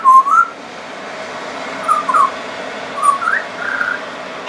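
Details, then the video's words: Friendly pied butcherbird in extended song with mimicry: a loud opening rising whistle, then paired slurred phrases about every second, a steeply rising note and a warbled flat whistle, with faint high twittering in the background. "Pied Butcherbird wouldn't shut up"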